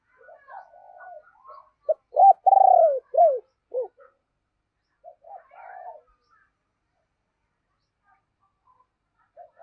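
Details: Deep-voiced decoy spotted dove calling to lure wild birds: faint murmuring notes, then a loud burst of clipped coos and a long vibrating coo with falling tail notes, followed by a softer repeat.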